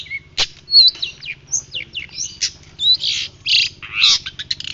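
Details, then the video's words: Shrike known locally as pentet laut dada putih, singing hard in a training recording. Mixed song of whistled slurs, harsh rasping notes and quick rising and falling phrases, delivered without pause. "Pentet laut dada putih gacor"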